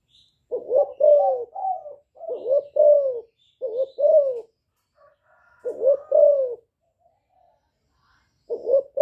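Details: Calling and bowing coos from a young spotted dove in hạp bổi style, meant to stir wild doves; low two-part coos in irregular bursts, some run together, with faint soft notes between.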